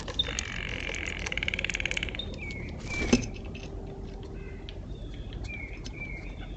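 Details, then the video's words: Blue jays visiting in early morning, joining a black squirrel eating sunflower seeds: a harsh, buzzy, stacked call of about two seconds, then thin whistled notes over steady background hiss. "Early morning visit from blue jays."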